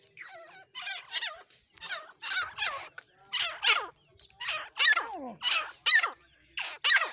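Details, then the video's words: Partridge giving a steady run of rasping, squeaky calls, often in paired bursts with downward-sliding notes, about one burst a second over a quiet background. "Desi Teetar ka shikar milaap Kala teetar aseel murga dakhni teetar Irani teetar sound"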